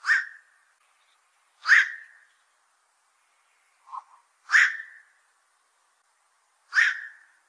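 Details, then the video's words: Four harsh, croaking quok calls from a black-crowned night heron, a fish eater that troubles fishpond owners, come at irregular intervals of two to three seconds, with one soft low note between. "BLACK CROWNED NIGHT HERON CALL SOUND"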